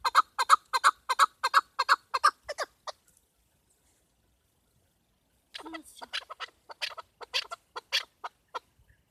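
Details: Chukar partridge, female, hunting call: a loud rapid run of chuck notes, silence, then a rougher, more irregular stretch of calls fading away.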